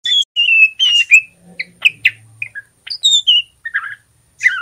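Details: Immature male white-rumped shama learning ngeriwik sounds, used as a trigger to make birds sing: a busy run of slurred whistles, sharp chips and falling notes, some buzzy and scratchy, with short gaps between phrases.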